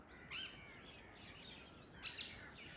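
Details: Free-flying wild Indian ringneck parakeets calling from a tree at early morning, two sharp, screechy squawks about two seconds apart against constant outdoor background noise.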